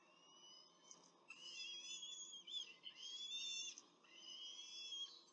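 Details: Peregrine falcons at a nest in Rome on 21 April 2024 during a short feeding, two adults with two chicks. High, thin, wheezy whining calls drawn out in long, slightly wavering strands, nearly continuous with brief breaks.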